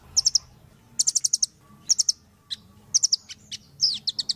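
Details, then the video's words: Velvet-fronted nuthatch (Sitta frontalis), kept as a sharp-voiced song model for training other birds, gives very high, sharp chipping notes in quick bursts of three to six, about once a second. "MASTERAN BURUNG RPM GACOR"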